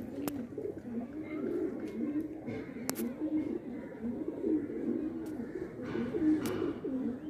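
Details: Indian pigeons, apparently a flock of many birds, cooing in low, rolling, overlapping coos repeated every half second, with sharp clicks or wing claps scattered through.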